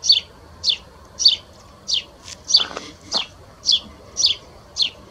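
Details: Spanish sparrow calling at S'Abufera, its voice likened to a tree sparrow's. Ten bright, falling chirps repeat about every half second, with a brief lower rustling sound midway and soft background noise.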